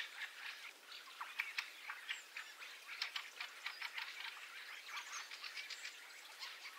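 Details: Fieldfares arriving in a winter invasion flock, starling roost audible behind, stereo XY recording: a constant crowd of sharp clicking chacks and chirps from many birds, packed tightly through the whole stretch.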